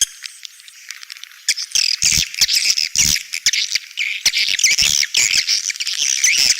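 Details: Edible-nest swiftlet 'outside' sound for swiftlet houses: faint high ticking, then waves of buzzy, squeaky twittering mixed with rapid clicks. It continues to the end.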